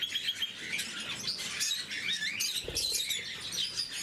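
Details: Several blue-mutation lovebirds chatter over their morning food: shrill rising chirps and whistled squeaks, with a short low thump of movement partway through.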